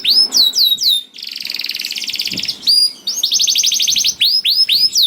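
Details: Canary singing to set off reluctant canaries, alternating curved falling whistles with two bursts of fast buzzing trill, then returning to the whistled notes.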